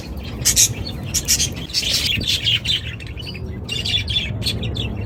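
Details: Budgerigar flock in loud chorus, bright chirps and scratchy warbles overlapping in quick bursts, a faint low rumble beneath.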